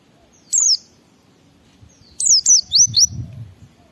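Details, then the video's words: A white-eye sings ngalas-style to draw responses from other white-eyes: one high falling whistle, then a quick run of four descending notes, with a low rumble at the end. "Suara Burung Pleci Gacor membuat Semua Pleci langsung ngalas Bongkar Isian"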